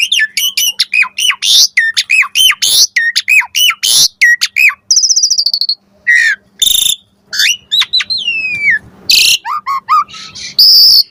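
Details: Lure song of an Asian pied starling with full varied fill-ins: dense rapid sequences of looping whistles, a buzzy high trill, harsh rasping notes and sweeping whistled slurs, nearly continuous.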